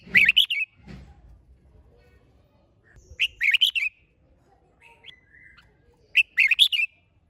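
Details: Spirited red-whiskered bulbul song meant to stir other bulbuls into vigorous singing: three bursts of quick, bright warbled notes roughly three seconds apart, with soft thumps and a few faint chirps between.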